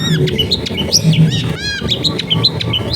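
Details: Long-tailed shrike singing in a densely populated residential area, used as a lure to get silent shrikes singing; sharp, varied phrases of rising and falling whistles and harsh notes, with a steady low hum and household noise underneath.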